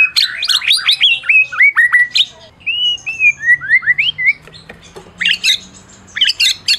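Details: Champion Medan-type white-rumped shama singing a tutor song meant to provoke silent shamas into singing; rich phrases of clear rising and falling whistles, slurred downward notes and sharp high chips, with short pauses between bursts.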